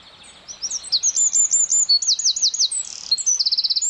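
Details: Forest wren song rising out of near silence into a bright, high-pitched stream of fast rattling trills and tumbling repeated notes, several distinct runs strung together without a break.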